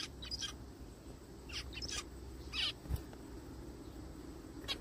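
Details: Zebra finch in a forest calling in short groups of nasal, slightly buzzy beeps, with gaps between bursts and a soft low thud midway.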